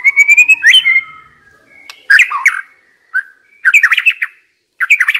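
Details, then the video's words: White-rumped shama kept as a decoy bird, opening with a long clear whistle that climbs slightly, followed by scattered sharp notes and bursts of rapid chattering phrases separated by short pauses. "Chòe lửa mồi hót cực hay"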